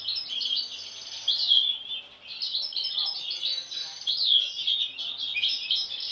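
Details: European goldfinch, one of several siblings, two of which have had an abnormal mask since birth; jangling high twitter in uneven bursts, with liquid chirps and slurred notes rising and fading.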